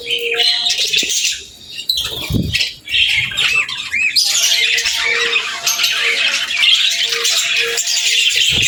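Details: Pairs of budgerigars chattering to each other, loud continuous scratchy warbling and squawks, with brief pauses and a steady tone in the background, recorded close up indoors.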